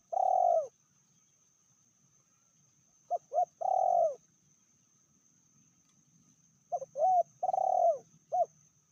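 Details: Spotted dove female, more aggressive than the male, repeats a medium-voiced phrase: short paired rising notes, a long coo curving downward, and in the last phrase an extra brief note tacked on at the end.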